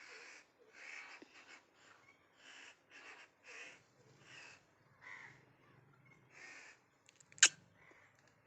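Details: Pet ringneck parrot with its owner indoors gives a run of rough, raspy squawks about every half second, ending with a sharp click.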